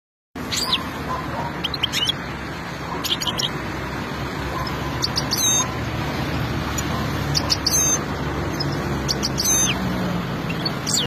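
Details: European goldfinch at peak excitement, giving sharp, high, rapid chirps and twitters in scattered bursts over a steady, loud background hiss and hum.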